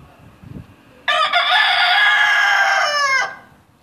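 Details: A rooster crows once, a loud, harsh, sustained cry lasting about two seconds with a rich, strained tone that cuts off abruptly, preceded by a faint low rustle and quiet background.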